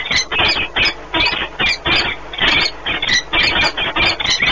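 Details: Nesting peregrine falcons, a pair meeting and bonding at Płock, Poland, 1 March 2019; loud, rasping squeals in quick repeated bursts, roughly three a second, with short gaps between runs.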